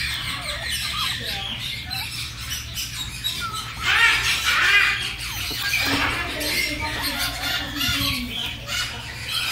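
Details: Red-tailed grey parrot, a young pet visiting its friends, expressing affection to its friend with harsh squawks and rasping chatter, loudest midway, against background music and a person's voice.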